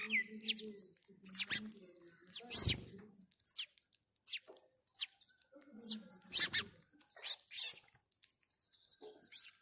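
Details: House sparrow calling: bright, high, irregular chirps in short clusters, some sharp and downslurred, separated by brief pauses, with a few lower soft sounds beneath.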